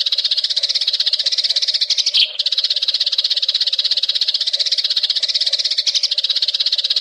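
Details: Eurasian tree sparrow chattering for songbird training: unbroken, rapid, high, scratchy chirps about four per second, forming a busy, even stream over a low constant hum, with one brief click near the middle.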